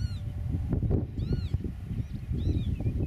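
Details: Eurasian oystercatcher on its nest in farmland meadow, recorded by a camera about 8 metres away. A few short, high, arched piping notes ring out over heavy, rumbling wind noise.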